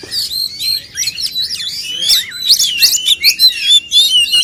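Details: Male oriental magpie-robin contest singing, aimed at stimulating livelier song; clear looping whistles and rapid twittering notes, with a swooping descending whistle midway and quick high chirps toward the end.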